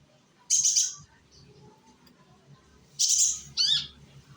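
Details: Young sunbird (konin) from Indonesia, used as a lure recording to make other sunbirds sing along: two bright, high chirpy bursts around half a second and three seconds in, then a quick trilled note, over faint low background hum.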